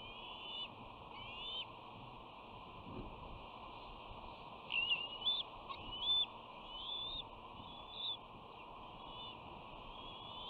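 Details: Young bald eagle sisters at the West End nest on 13 June 2019, one returning and being met with a hostile, dominant greeting while their brother watches: scattered high thin whistled notes, some rising, over steady nest-camera hiss.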